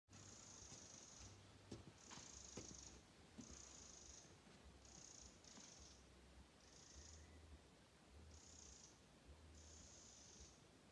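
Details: A Eurasian wren gives frantic alarm calls at Alkärret, Stornäset, Alnö, Sweden, on 29 July 2022, perhaps at a tawny owl roosting by day: dry, high churring rattles in short bursts about every second, over a low hum.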